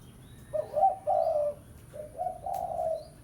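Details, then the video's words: Spotted dove pesom lure call aimed at a rival; two low cooing phrases, the first louder with a rising start and a held coo, the second softer and more drawn out. "Suara Pikat Tekukur Pesom - Tekukur Pikat Suara Memanggil Lawan"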